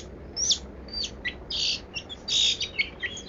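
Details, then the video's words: Long-tailed shrike singing a varied 'kaya rasa' song: a sharp whistled upslur, then dense scratchy bursts and short chirps mixed in quick, irregular succession. "BURUNG PENTET 'KAYA RASA'"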